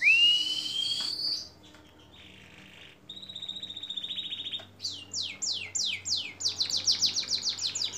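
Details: Canary song from a long masteran training recording for songbirds: an upward whistle, buzzy sustained tones after a short pause, then a lively series of repeated downward-sweeping notes.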